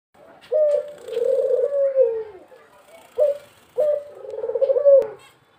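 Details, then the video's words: Male dove calling: a low, throaty coo drawn out for about two seconds, a brief single coo, then another long coo that breaks into a rapid pulsing flutter before ending abruptly. "ঘুঘু পাখির ডাক ছেলে ঘুঘু পাখি কিভাবে ডাকে"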